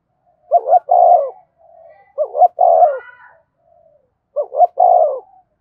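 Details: Three rhythmic coo phrases from a spotted dove calling and provoking rivals, each a pair of short soft hoots followed by a longer vibrant coo, spaced about two seconds apart.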